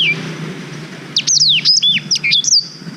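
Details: High, sweet song of a black-throated canary, recorded on a GoPro Hero 5 for canary training. After a faint opening, a dense phrase of falling whistled slurs and brief chips follows, with low hum underneath.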